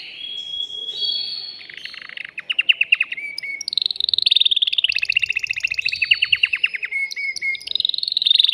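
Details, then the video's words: Caged male canary singing excitedly to stimulate a female to mate. Thin whistles lead into long bursts of quick repeated chirps and buzzy rolled trills, changing speed several times. "تغريد ذكر كناري هائج يريد تكسير القفص يحفز الأنثي لتزاوج"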